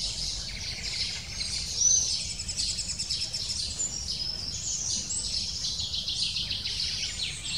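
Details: Insistent high twittering of a lesser spotted woodpecker chick at its nest, fed every few minutes by its parents; rapid repeated thin notes with one louder call near the start.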